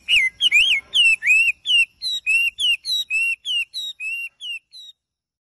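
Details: Melodious bird singing in the morning: a run of about fifteen clear whistled notes, each a short rising-then-falling slur, repeated roughly three per second and gradually softening before stopping, with no other sounds.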